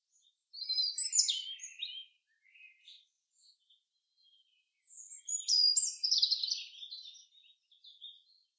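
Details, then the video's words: In the forest, a common chaffinch delivers a rapid, bright phrase of descending notes, then faint chips, then a second louder, rolling phrase that trails off into soft chirps. "Beautiful Song of the Chaffinch in the forest"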